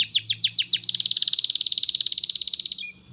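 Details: Tutor song for young canaries: a few loud arched high notes, then a fast even rattling trill held about two seconds, ending in a short low whistle.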